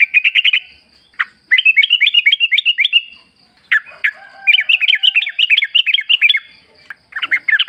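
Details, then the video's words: Sooty-headed bulbul singing in the forest, a recording used to coax other birds into replying. Long rolling strings of quick bouncy chirps are broken by brief pauses and single sharp notes. "pancingan trucuk gacor ngalas full suara alam"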